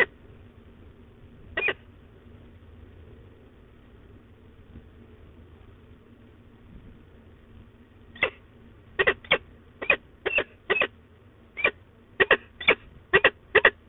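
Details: At De Mortel on 15 October 2021, a female peregrine falcon grumbles: one harsh note, a pause of several seconds, then a rapid run of about a dozen short rasping calls, roughly two per second, over faint hum.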